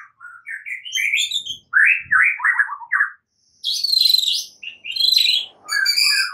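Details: Morning song of a white-rumped shama learning to fight: varied phrases of rapid stuttering chirps, then rasping high bursts and clear whistles, delivered in separate loud segments with brief pauses.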